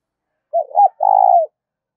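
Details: Spotted dove giving a call meant to stir up decoy birds, a soft double hoot running straight into a long, buzzy, low coo that tails downward.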